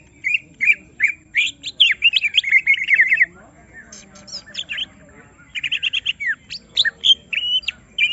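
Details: Caged greater green leafbird stirred up to display its complete song, delivering a dense warbling chatter of quick whistled notes, a brief pause, then renewed rapid twittering.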